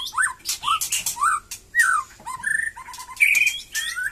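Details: White-rumped shama of the Batu Kurau strain, starting to sing eagerly again after its moult: a varied sequence of looping whistles, a rapid trilled stretch and sharp harsh notes in quick succession.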